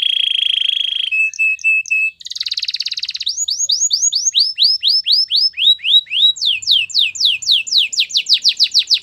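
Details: Singing canary delivering a steady low trill, a brief buzzy burst, then long series of quick descending whistled sweeps repeated several times a second, clean and loud throughout.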